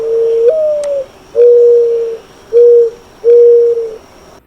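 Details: A Mourning Dove, a spring migrant in southeast Saskatchewan and southwest Manitoba in April–May, gives low, hollow coos: a first note that lifts and slurs down, then three steady, even notes about a second apart, over a faint high hiss.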